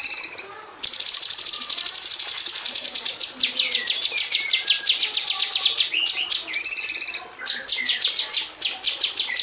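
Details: Aviary female cucak cungkok bulbul, kept as a tutor for magpie robins, producing a long, dense buzzy trill that breaks into quick sharp repeated notes in 'tembakan rapat' style, with a brief nasal harmonic phrase.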